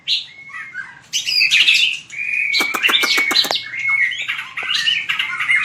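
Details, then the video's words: Fighting song (hót đấu) of a white-rumped shama for voice training: sustained whistles and scratchy notes with a burst of sharp clicks, followed by continued rich warbling. "Luyện chòe lửa hót đấu/luyện giọng chòe lửa/kích lửa shama bird"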